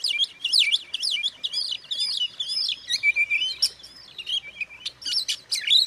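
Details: Oriental magpie-robin pouring out high, rapid whistles, slurred sweeps and chattering notes, used to provoke other magpie-robins. Continuous, with a slight lull before a loud closing flourish.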